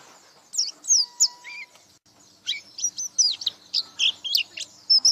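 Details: White-eye delivering scattered high twittering notes, a short phrase of sweet slurred whistles, a pause, then a busier run of thin chirps; gacor buka paruh singing.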